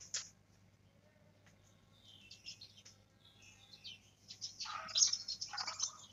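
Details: After a single chirp and a quiet stretch of soft notes, a young black-throated canary learning to trill builds into a loud, rapid, jumbled twittering warble.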